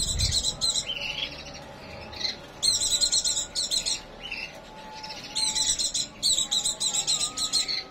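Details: White-eye (pleci) in breeding condition, delivering rapid high twittering phrases and chattering trills in repeated bursts, over a faint steady hum.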